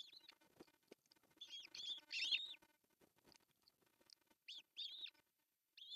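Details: Osprey at its nest in northern Satakunta, Finland, June 10, 2024, as the male brings a large fish for breakfast; high arched whistles in short clusters over a background of soft rustling and low knocks.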